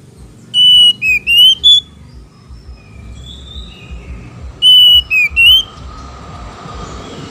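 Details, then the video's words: Female and male Oriental magpie-robins answering each other in a lure recording meant to excite other birds into singing: two loud bursts of quick whistled notes, dipping then rising, about four seconds apart, with softer whistles between and low background rumble. "PANCINGAN KACER BETINA DAN JANTAN BERSAUTAN"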